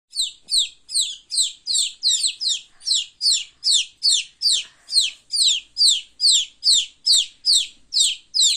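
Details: Baby chickens, chicks playing, giving loud high-pitched chirps that fall in pitch, repeated steadily about two to three times a second with no other sounds.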